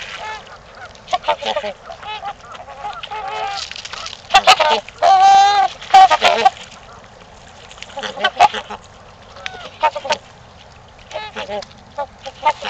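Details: Trumpeter swans at Gallup Park, Ann Arbor, Michigan, calling during mating time: loud, resonant, bugle-like honks, including a drawn-out wavering call near the middle, with shorter honks scattered irregularly around it.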